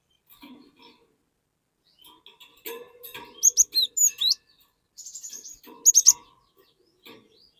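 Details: Lure song of a cinereous tit meant to set untrained birds singing. It gives clusters of shrill whistled notes, several sweeping upward, in two bursts separated by a brief pause, over faint clicks.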